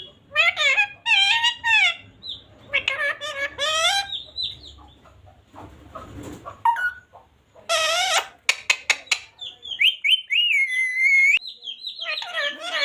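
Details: Pet parrot talking, saying "radhe radhe": bursts of wavering, voice-like tones with shrill whistled slides and a few sharp clicks between phrases.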